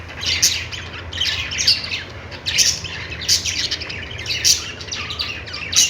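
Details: Multiple budgies warble noisily, crisp high chirps punctuating rough squawky chatter at irregular intervals of about a second.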